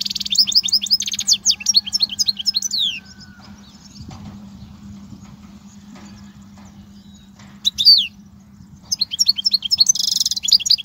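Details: European goldfinch song used for teaching young goldfinches: bursts of fast, high, liquid twittering and trills at the start and end, separated by a quiet stretch with a steady low hum.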